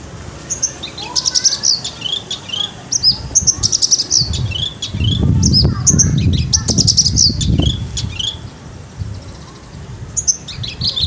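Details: Javan bush lark singing fully with a rolling flow: fast continuous stream of high chirps, whistles and downward slurs, with a short low rumble midway and sharp clicks.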